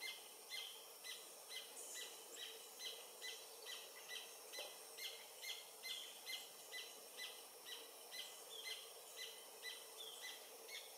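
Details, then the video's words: Adult Paradise Jacamar in French Guiana near the Comte (Oyak) river, late morning of 8 November 2023: a sustained string of high, clipped notes at a brisk steady tempo, over a constant soft background hiss. "Paradise Jacamar (Galbula dea dea) singing, French Guiana"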